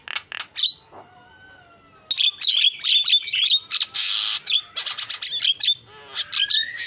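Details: Javan myna singing energetically: a few harsh notes, then a soft falling whistle, followed by dense runs of scratchy, noisy chatter interspersed with sharp whistled notes.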